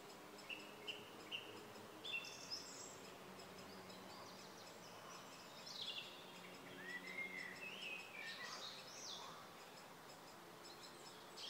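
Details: Black-necked grebe at Kala pond, Hostivice, on 26 May 2016: soft, rising whistled calls, one swelling into an arched note, with short high chirps from other birds over a steady background hiss.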